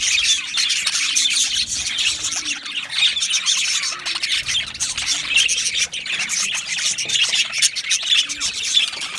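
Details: Budgerigar colony in an aviary producing a continuous wall of chirps, squawks and warbled twitters, loud and crowded throughout.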